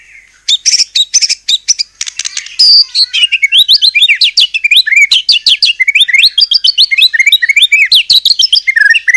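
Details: Energetic murai batu (white-rumped shama) song used to provoke rival shamas into answering: a long, dense outpouring of quick varied whistles, chirps and slurred notes delivered without a break.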